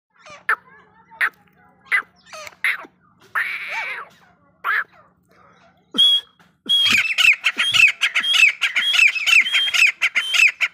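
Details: Grey francolin, locally called desi teetar, giving harsh calls: scattered squawky notes, then a dense run of loud, high, zigzagging notes repeated rapidly in quick succession.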